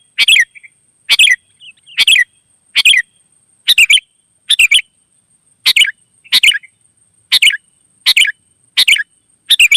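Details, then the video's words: Lively song of a wild sooty-headed bulbul responding to others, repeating short bright chirped phrases opened by a sharp click, a little over once per second, with a few soft notes between. "suara burung gacor kutilang liar auto nyaut"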